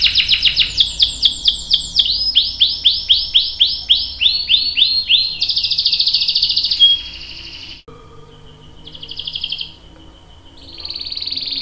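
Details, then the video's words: Canary rolling song meant to prompt other canaries to sing: long series of fast down-slurred notes, a sustained buzzy trill, then quieter thin whistles and a resumed trill. "KENARI GACOR NGEROL panjang bagus untuk PANCINGAN dan MASTERAN biar ikut BUNYI | CANARY SINGING"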